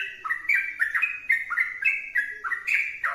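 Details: Sooty-headed bulbul singing energetically without pause: a fast run of short, clear whistled notes that step up and down in pitch, several each second, with a faint steady lower tone underneath.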